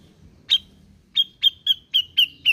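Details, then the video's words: Grey-cheeked bulbul recording meant to coax a bird that is lazy to sing; one sharp note, then six quick, bright chipping notes spaced about a quarter second apart, each trailing slightly downward. "Pancingan Cucak jenggot malas bunyi"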